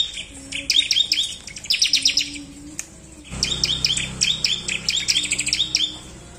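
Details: A bar-winged prinia in full song, used as a lure to stimulate other prinias to sing, gives rapid, high, buzzy chirps in quick bursts with brief pauses; a faint low hum underneath.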